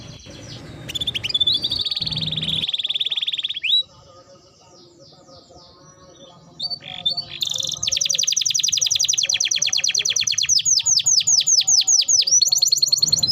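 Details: Canary training song: a loud buzzy trill, a quieter stretch of faint chirps, then a long, sustained rapid rattle of high notes ending in repeated downward sweeps.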